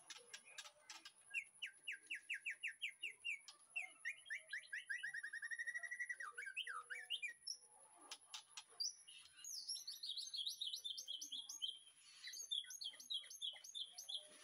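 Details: Captive white-rumped shama in a backyard breeding aviary, an afternoon master song for training other birds: rattling note series, rising and falling whistled phrases and harsh squawks, with sharp clicks and faint background noise.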